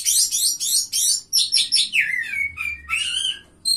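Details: Oriental magpie-robin, a third-place winner at a bird singing contest, singing fluently: rapid buzzy, scratchy high phrases repeated in quick bursts, then slurred whistled notes descending and dipping, with short pauses between phrases.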